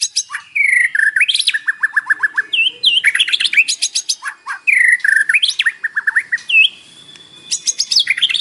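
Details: Morning white-rumped shama song full of isian, a lure to set captive birds singing; rapid rattles, descending trilled runs and looping whistles delivered almost without a break.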